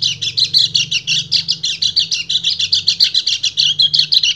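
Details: A male white-eye (kecial kuning) keeps up a fast, rhythmic stream of sharp chirping notes, singing to a female in breeding condition, with a soft low hum in the background.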